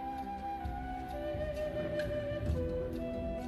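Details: A soft flute melody with sustained, gently shifting notes plays over a low background hum, with no animal calls.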